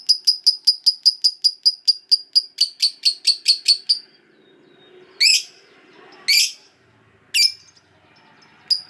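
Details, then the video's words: Caged lovebird fighter ngekek panjang, used to coax silent lovebirds into song: a long even series of sharp high chirps, then several loud harsh squawks spaced about a second apart. "Pasti Lovebird Macet Bunyi Langsung Ikut Ngekek Panjang"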